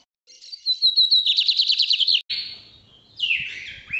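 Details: Lined seedeater from Brazil singing the northeast song type: a high thin whistle leads into a fast buzzy trill of repeated notes, then a harsh rasping phrase and a short descending buzz.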